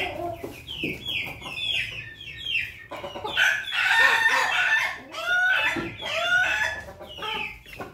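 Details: Young crossbred Pelung, Bangkok and Ketawa chicken with a red comb, from Yogyakarta, crowing in loud, harsh, drawn-out bursts amid constant high chirping and clucking from other chickens.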